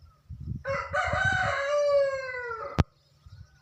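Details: Peacock in a village in Haryana, India; a single drawn-out, nasal, wailing call lasting about two seconds that falls slightly at the end, followed by a sharp click, over low rumbling background noise.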